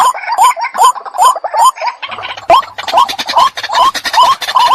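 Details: White-breasted waterhen used as a decoy, calling in short upslurred notes at a brisk, regular pace, with sharp clicks and knocks breaking in midway.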